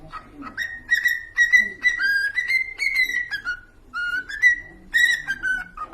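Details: Pet cockatiels whistling a song: a run of clear, slightly rising whistled notes with bright overtones, strung into a fast melodic phrase with short pauses between bursts.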